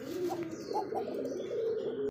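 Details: Racing pigeon breeding pair, male and female, shown at a pigeon farm in Savar, Dhaka. A low, steady, rolling coo with a few brief higher tones runs throughout.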